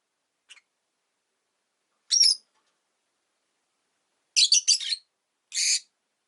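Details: Rosy-faced lovebirds, five pet birds caged beside a window, give scattered harsh high chirps with long silences between them.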